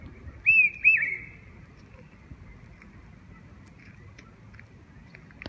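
A large hawk-cuckoo gives two loud, shrill, upslurred whistles in quick succession, followed by near-silence with a few faint ticks in the background.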